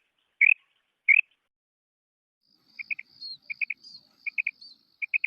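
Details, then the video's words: Female quail: two louder slurred chirps, then rapid triplets of short clipped notes, with a thin high buzzy trill from another small bird running alongside. "FEMALE BATAIR SOUND / BUDANA OVOZI"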